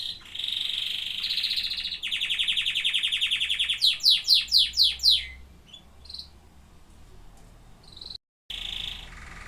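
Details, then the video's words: Singing canaries: a rapid high rolling trill, a second fast trill, then a run of steep downward-sweeping notes about four per second, fading to soft scattered notes with a brief dropout near the end. "Singing canaries"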